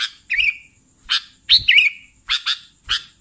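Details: Sooty-headed bulbul chattering: a few rough clicky chirps and wavering whistled notes, spaced irregularly, with a faint high steady tone running underneath and occasional low knocks.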